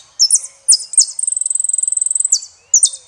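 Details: Saffron finch performing El peregrino song: high slurred phrases, then a fast even series of about twenty clipped piping notes on one pitch, followed by more descending buzzy phrases.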